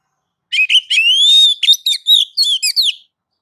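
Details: Oriental magpie-robin singing a training song meant to prompt other birds to answer: a loud, varied run of sweet whistles, a long rising-and-falling note, then quick chirpy and slurred notes over about two and a half seconds, with no background noise.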